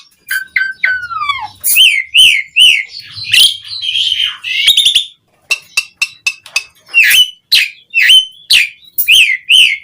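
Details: Asian pied starling (jalak suren) singing, used to prompt other starlings to sing: a varied chattering song of whistled slurs, downward-gliding notes and harsh bursts, with dense repeated buzzy chirps near the end.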